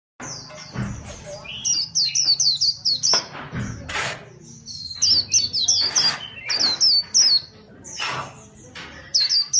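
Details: Competition-kept white-eye singing: bright, high warbled phrases of quick rising and falling notes, delivered in bursts every few seconds, mixed with sharp broadband clicks and knocks and brief low sounds between phrases.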